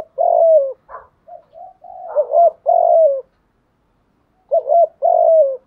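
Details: Lure recording of a spotted dove for attracting wild birds. Soft introductory notes lead into a doubled wobbling coo and a drawn-out descending coo. The pattern repeats after a two-second silence.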